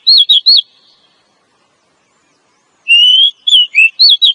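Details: Female oriental magpie-robin calling to prompt a male to sing and raise his breeding condition; two bursts of loud, clear whistled notes near high pitch, first three quick looping whistles, then after a pause a longer phrase of slurred and wavering whistles.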